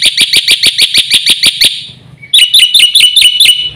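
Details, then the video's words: Champion black-winged myna singing actively with a full song of fill-in phrases: a fast series of loud, harsh, high repeated notes, a short pause, then a second run of sharper hooked notes at about four per second. "BURUNG JALAK PUTIH GACOR FULL ISIAN JUARA"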